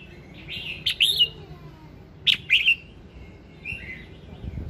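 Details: Morning song of a red-whiskered bulbul, used to encourage singing: two short whistled phrases about a second and a half apart, each a quick sharp note followed by a looping warble, then a softer trailing phrase.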